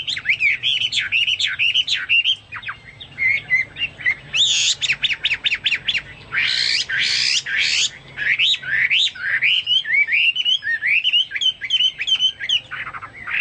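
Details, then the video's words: Chinese hwamei singing at length, its song likened to cucak Papua or cucak mas: varied looping whistles, bursts of rapid staccato notes and harsh raspy phrases, then more fluid whistled runs. "burung hoa mi seperti cucak Papua atau cucak mas gacor"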